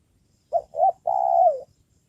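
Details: Spotted dove kept as a decoy to lure wild birds, giving a single three-part coo: two short low notes and then a longer, steady coo that sags at the end.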